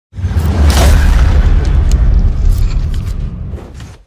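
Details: A loud, deep booming rumble with music-like noise runs through the whole stretch, fading out at the end; no animal voice is heard.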